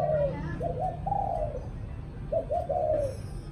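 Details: A spotted dove coos in the evening, two clear low phrases of short hooting notes that run into a longer, slightly falling coo, with a low hum underneath.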